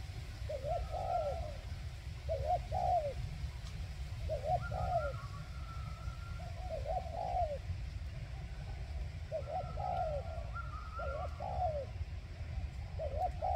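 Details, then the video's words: Decoy spotted dove calling to draw in wild birds: clusters of two or three mellow hooting coos repeated every couple of seconds, with faint higher thin tones in the background and constant low rumble. "Cu Gáy Mồi Rút Bổi"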